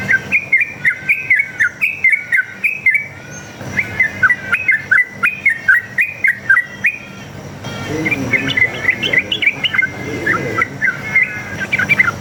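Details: Sooty-headed bulbul (trucuk) song played as a lure so other trucuk birds reply; dense runs of bright whistled notes, rapid and slightly buzzy, continuing almost without pause, with faint background hum.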